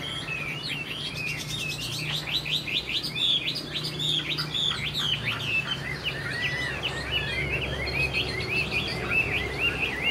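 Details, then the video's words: Caged young Chinese hwamei, a bird of this year that flicks its tail and sings well, pours out a dense run of varied, sliding whistled notes, high and rapid, with a low hum underneath. "Họa mi chuyền năm nay, cực kỳ tố chất, vẩy đuôi khướu, hót tốt"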